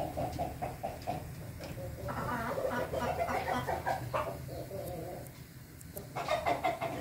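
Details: Ayam Ketawa (laughing chicken) crowing, recorded 20 May 2024: an uneven series of short, clucking, chuckle-like notes rising and falling in bursts over low background hum.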